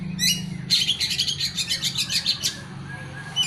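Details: Oriental magpie-robin song: a fast trill of harsh, evenly repeated high notes lasting about two seconds, over a low background hum.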